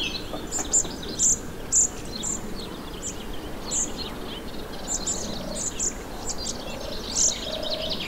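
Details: Song thrush, recently fledged and being fed, in a garden in Morbihan, Brittany, France, on 27 June 2023: short, thin, very high call notes, irregular, with a few louder ones, over steady background noise.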